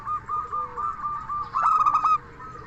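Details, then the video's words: Local Indonesian zebra dove with a clear "crystal" voice, singing to lure other doves into replying. Gentle repeated coos, then one loud half-second run of rapid pulsed notes. "Perkutut Lokal Gacor SUARA KRISTAL Ahlinya Bikin Semua Burung Perkutut Langsung Nyaut"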